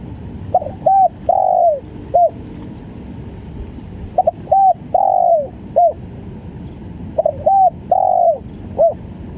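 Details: Spotted dove, a stuttering 'gagap' caller, giving repeated low cooing phrases: a couple of short notes, a longer drawn-out slurred coo, then a short final note, the phrase repeated about every three seconds over a steady low hum.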